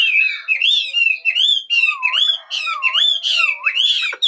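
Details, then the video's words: Morning birdsong of looping whistled notes that rise and fall, repeated about every half second, with dipping lower swoops and a faint steady hum underneath. "Chào buổi sáng. Mời ae cùng nghe chim hót."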